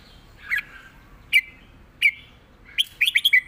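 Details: Red-whiskered bulbul singing a clear southern 'rik' master song: a soft opening warble, two spaced sharp whistled notes, then a rapid run of five lilting notes dropping at the end.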